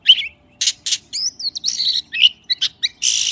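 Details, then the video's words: Oriental magpie-robin mixes harsh, buzzy rasps with thin whistles and quick chirps in an uneven, scratchy sequence. "សំលេងសត្វល្វាចេកច្បាស់ល្អណាស់ (30នាទី) / Good sound of magpie (30 minutes)"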